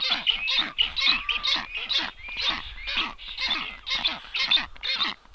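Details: Strange black storks visit a nest on 9 July 2023; dense, grating calls pulse quickly, roughly twice a second, over a faint low rumble.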